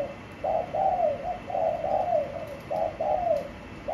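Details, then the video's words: Spotted dove kept in a cage with a blue base, cooing repeatedly: short low hooted notes grouped in twos and threes, the last of each group drawn out and sliding down, with a quiet hiss behind. "Bổi Nổi Đít Lồng Xanh Dương"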